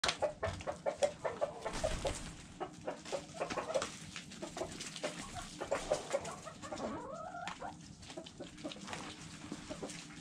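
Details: Chickens eating, pecking at food: a steady run of short sharp taps and clicks, with soft low clucks and a brief rising-falling warble near the middle.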